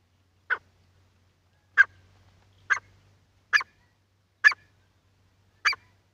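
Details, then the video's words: Wild partridge, from a set covering wild, hunting and female partridge calls: short sharp harsh notes repeated about once a second, each a brief burst, with a faint low hum in the background. "Jangali Titar ki awaz and shekare titar ki awaz and female ki awaz"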